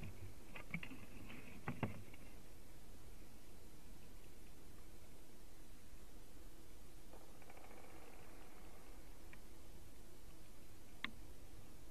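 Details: Steady low rumble of wind with a few faint knocks and rustles, and no clear animal voice.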